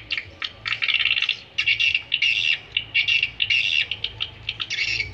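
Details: Swiftlet calls played to attract swiftlets: rapid buzzy chattering twitters in bursts, repeated with short gaps, over a low steady hum.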